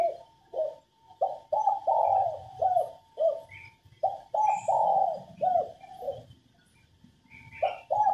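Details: Cooing female spotted dove, used to spur males to sing and coo. Soft, hollow coos repeat in clustered phrases of two or three notes over eight seconds, with faint higher chirps and a steady faint tone behind.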